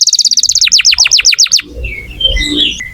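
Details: Lively canary song used as a prompt for young or non-singing canaries. A rapid stuttering trill of repeated notes lasts about a second and a half, followed by faint chirps and background rustle.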